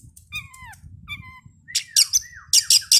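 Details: Oriental magpie-robin lure played before a bird contest to provoke singing on the field: two clear downward-sliding whistles, then a curving whistle followed by loud, scratchy rasping bursts in quick succession.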